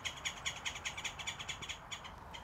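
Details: Green jay at a bird feeding spot with corn on the cob in the South Texas brushlands, several birds in the trees, giving a rapid series of harsh, scratchy notes, about five each second, over faint low rumble.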